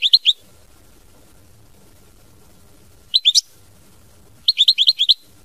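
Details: European goldfinch in mama binette song: three short clusters of high, liquid twittering notes, the last a rapid run of about six chirps, with quiet pauses between.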